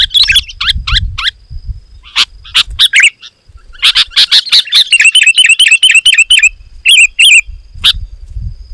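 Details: Sooty-headed bulbul song used to lure wild bulbuls closer and provoke them, dense and loud: rapid bursts of sharp chirps and clicky notes, then a run of repeated bright twittering notes, with faint low rumbling in the background.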